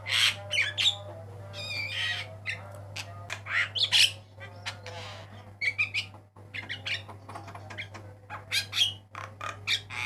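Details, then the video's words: Varied song of a black-winged myna on a master track for teaching cage birds: continuous loud mix of harsh squawks, chirps and slurred whistles, with a steady low hum throughout. "JALAK KEBO MATA PUTIH KICAUAN MANTAP"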